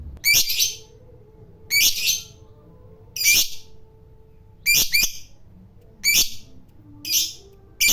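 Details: Fighter lovebird kept as a trill bird, uttering short harsh high squawks separated by pauses of roughly one to one and a half seconds, six or seven calls in all, with a faint low hum behind.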